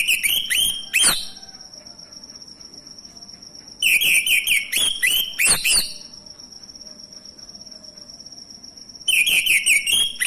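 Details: Male orange-headed thrush song used as a lure for silent thrushes: three bursts of rapid, jumbled, high whistles and chirps separated by pauses of several seconds filled by a steady thin high tone.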